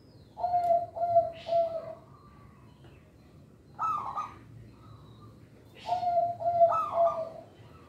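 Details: Local zebra dove, song used to coax and train young birds: three rounded coos, a pause, a higher slurred note, then a final run of low coos rising into a brighter note.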